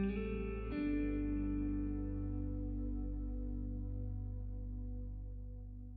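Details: Soft ambient guitar music, a plucked chord ringing out and slowly fading over a low sustained drone.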